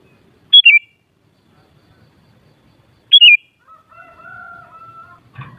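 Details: Two loud, bubbly sooty-headed bulbul phrases about two and a half seconds apart, then a long level lower whistle and a short rustle. Used to excite bulbuls into answering song.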